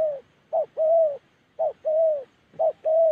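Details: Spotted dove in Gia Lai, Central Highlands of Vietnam, calling in the style known locally as Đồng Ngực Chẻ: a short low coo followed by a longer, smooth, mellow coo, the two-note phrase repeated about once a second, three times.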